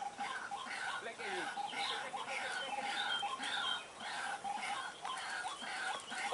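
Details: Lure recording of White-breasted waterhens: harsh, croaking harmonic notes repeated rapidly and overlapping throughout, forming a continuous raucous series.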